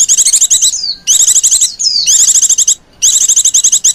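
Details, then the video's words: Lenjeh manja luring calls from a female white-eye: nearly continuous high, rapid trills of sharp repeated notes, broken by brief falling whistles and short pauses. "Burung pleci betina lenjeh manja pemikat burung pleci"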